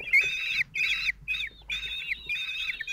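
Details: Common kestrel nestlings, four chicks aged 16 days, being fed by their single father at a French nest in June 2023: piercing, wavering squeals in short bursts, some sliding downward, separated by quick gaps.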